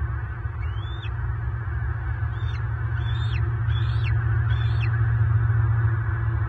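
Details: In Southwest Florida on March 24, 2023, an adult male bald eagle clashes with an intruding adult and they lock talons. Five sharp, high chirping whistles that rise and fall come about once a second above a loud, deep rumble.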